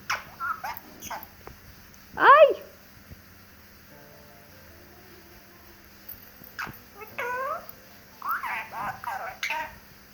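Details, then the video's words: Talking rose-ringed parakeet: a sharp, loud burst of descending harmonic notes, then quieter gaps, then clusters of chattering, word-like phrases with a faint, thin background tone. "Amazing Ringneck Talking Parrot"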